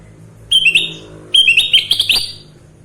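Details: Kutilang emas, or sooty-headed bulbul, singing: two loud phrases of clear stepped whistles climbing in pitch, the second longer with rapid repeated notes.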